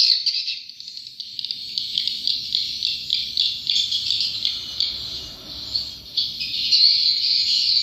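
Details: Twittering swiftlets, high and thin, rising and falling in quick pulses several times a second. A faint low rumble sits underneath.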